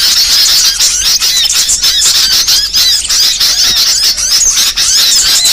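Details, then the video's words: Varied song of small songbirds meant for training birds: continuous high twittering with many rapid curling whistle notes overlapping, steady in loudness throughout. "MASTERAN BURCIL VARIASI"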